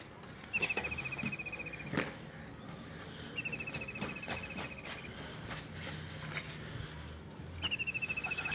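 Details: Birds heard in a village, giving three separate dry high trills of about a second each, spaced several seconds apart, with faint clicks and a soft low background hum.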